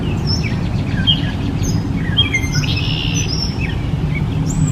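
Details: Gray Catbird (Dumetella carolinensis) chirping in short bursts: a scratchy jumble followed by a couple of longer clear whistled notes and a high squeak at the end, with a low rumble throughout.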